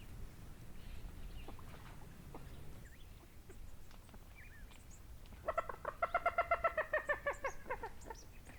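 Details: Coot at Chiflón on 3 January 2025, 8:11 in the morning: quiet scattered chips, then a loud fast run of nasal harmonic notes that slightly falls in pitch over about three seconds.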